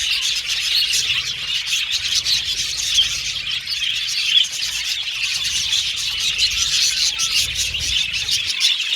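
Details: Budgies chirping happily: a continuous crowd of high chirps, thin squeals and buzzy chattering from many birds, with occasional louder squawks and a quiet low rumble underneath.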